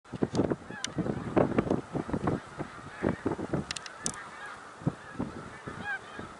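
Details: Snow geese at Middle Creek Wildlife Refuge, Pennsylvania, on 1 March 2021: a large flock gives dense, overlapping nasal honks in rapid, irregular bursts, with a constant wash of distant goose chatter behind.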